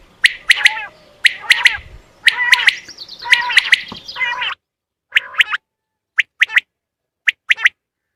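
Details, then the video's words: Common quail calls used as a hunting lure: sharp, clicky chirping notes in quick pairs and groups, over a rustling, buzzy backdrop for the first half, then sparse isolated notes in near silence. "زیادہ سے زیادہ بٹر پکڑنے کے لیے اس اواز کو استعمال کریں"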